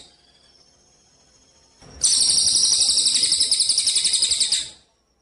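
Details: Javan munia song recorded as contest training material: after a quiet faint thin whistle, a loud high buzzy trill bursts in, pulsing roughly four times a second for about three seconds before fading.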